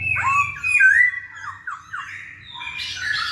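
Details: Masked laughingthrush singing to coax silent birds, with loud wavering whistles and a series of quick downslurred notes, closing in a burst of harsh chatter; faint low hum behind.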